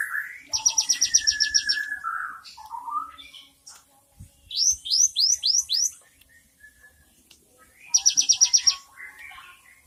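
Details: Cinereous tit, 3 April 2023, showing a varied 'isian mewah' song: a rapid high trill, a drawn-out mid-pitched whistle, five swooping downslurred notes, then another quick rattling trill, with soft clicks between phrases.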